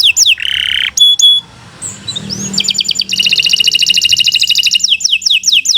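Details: Singing Kenari canary, a long master song: low warbled phrase, sharp high pure tones, a brief quiet gap, then a long rapid trill closing with descending whistled notes.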